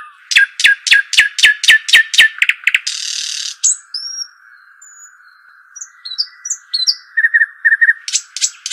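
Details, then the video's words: Arabian babbler giving a fast series of sharp, evenly spaced downslurred chirps, then a harsh hiss, scattered thin whistled notes and soft quick trills, with a constant high tone beneath. "صوت الشحيم الاصلي او صوت طائر الدخل"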